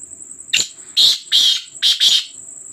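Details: A Black francolin calling at night gives a loud, harsh, grating phrase of five rasping notes over two seconds, against a steady high-pitched insect trill.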